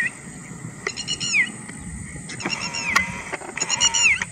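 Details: Whiskered tern (Chlidonias hybrida) at Pong Lake gives three harsh, rasping calls, each about half a second and ending in a downward slur, spaced over a second apart, over a faint steady high hiss.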